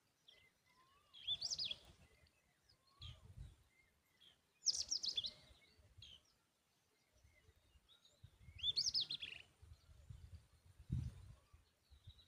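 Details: Tailorbird at the nest feeding its young a butterfly; three bursts of sharp, high twittering chirps a few seconds apart, with soft scattered ticks and faint low rustling between them.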